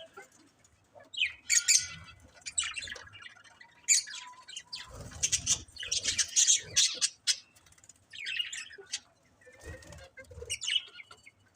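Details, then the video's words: Colourful pet budgerigars chirping; bursts of high, scratchy chatter and short warbles come in clusters with brief pauses between, several birds calling over one another. "Cute Colourful Budgies Chirping Sounds"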